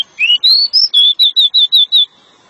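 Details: A Pied bushchat (Saxicola caprata) sings a long song to lure a female: two rising whistles, a high note, then six bright repeated notes at a fast even pace, with no other sounds.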